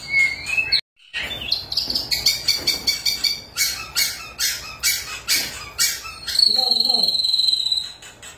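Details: White-rumped shama singing hard as a lure to get shamas that have stopped singing going again: a sliding whistle, then a fast run of loud harsh clicking bursts, ending in a long high steady whistle.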